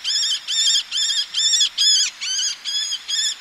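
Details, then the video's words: Eleonora's falcon, male calling nearby while females call from ledges over the sea: eight evenly spaced, harsh, ringing kek notes, each about a third of a second, delivered steadily. "Eleonora's Falcon. MCU Calls From A Male With Females Calling From Ledges. Sea In"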